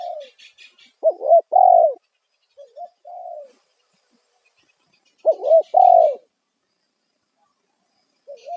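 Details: Loud spotted dove call, 'kuk satu' type, played to bring in wild doves: soft low coos, a jerky two-part note and a long resonant coo, repeated after a gap, with faint high twittering from small birds.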